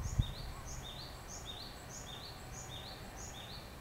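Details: Japanese tit singing at 4:50 am on 7 April 2011 in Yokoto green space, Hanamigawa Ward, Chiba City, Japan; high, thin two-note phrases repeated about twice a second in a steady run over a constant low rumble.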